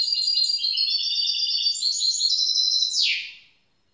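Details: A young goldfinch mule (hybrid) of grey-blue colouring delivers a continuous run of high, tinkling, stepped twitters for about three seconds, ending in a sharp downward-sweeping buzzy note.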